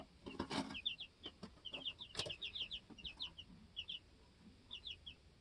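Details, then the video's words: Two-week-old chicks in a homestead coop, hopping and learning to fly; bright high peeps in quick pairs and runs, mixed with scuffling and wing rustles. "2 Week Old Baby Chicks Being Baby Chicks Super Cute And No Talking!"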